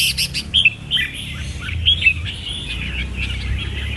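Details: Red-whiskered bulbul with lively warbled chirps at the start, then softer twittering over a low background rumble.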